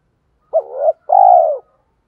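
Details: Clear spotted dove coo for luring wild doves: a short note rising into a soft hum, a brief gap, then a long, full, gently falling coo.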